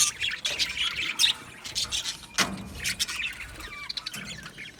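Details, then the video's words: Aviary budgerigars chirping, uneven bursts of high scratchy chatter and squeaks from several birds, with louder and quieter stretches. "Budgies singing and Chirping Sounds"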